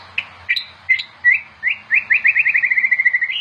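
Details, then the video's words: A white-rumped shama kept for training other shamas gives a few spaced sharp chips, then speeds into a fast rattling trill of about a dozen quick notes. "SUARA OCEHAN BURUNG MURAI BATU GACOR UNTUK MASTERAN MURAI"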